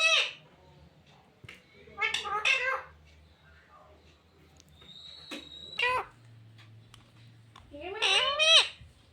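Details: Parrot mimicking speech, said to say "mummy papa": four scattered clusters of harsh, bending-pitch syllables across nine seconds, one with a steady high whistle tone, over faint low room hum.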